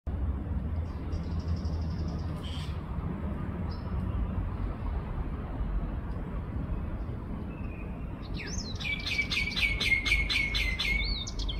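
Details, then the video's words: Sardinian warbler recorded 21 March 2024 at 6:42 am: a few thin calls, then a fast, scratchy, chattering burst of high notes near the end, over a steady low rumble. "סבכי שחור ראש מצייץ The Sardinian warbler is tweeting"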